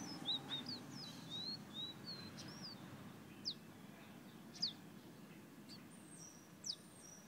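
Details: Fire-red Guyana bird whistling, opening with a quick cluster of high slurred whistles, then spaced, sharp, falling notes every second or so, and finally a few thin, high, drawn-out tones against quiet hiss.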